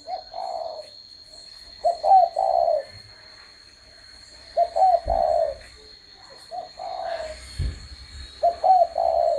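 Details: Spotted dove cooing repeatedly, four three-part phrases, each two short notes and a drawn-out mellow coo, among occasional knocks and thumps and a steady high whine.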